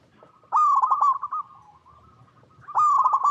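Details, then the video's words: A zebra dove (Geopelia striata) coos a bright run of quick staccato notes easing slightly downward into a softer hum, then repeats; a local perkutut used as a lure call to prompt other doves to answer; finding: Zebra dove. "PERKUTUT LOKAL GACOR Suara"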